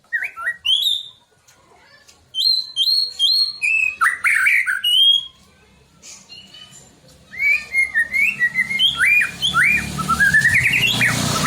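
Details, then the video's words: Caged-style White-rumped shama song used to stir rival shamas to sing: clear rising whistles and repeated sharp upslurred notes in rapid series, a pause, then another burst of varied whistles ending with a buzzy rising run amid rustling noise. "kicauan santai tapi bikin emosi, murai manapun pasti ikut bunyi"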